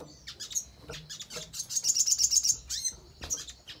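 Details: Crimson sunbird singing to spur other birds to reply: scattered high tweets build into a short, dense, shimmering trill, then break back into sparse chirps.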